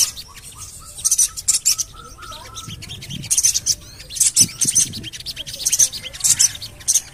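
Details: Repeated shrill 'cuit' chirps of a Javan cochoa, used as a lure to make birds sing, arrive in dense clusters about every half second, with short falling whistles early on.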